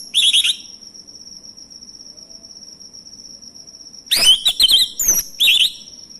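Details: Male orange-headed thrush song used to provoke other birds to sing: a short burst of fast trilled notes, a long pause with a steady high insect drone, then a loud jumble of rapid whistles and rising slurs.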